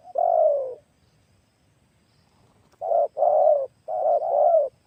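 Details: Spotted dove at a test of a new decoy for trapping wild doves: one long falling coo, a pause, then a run of four rapid, full-throated coo notes close together.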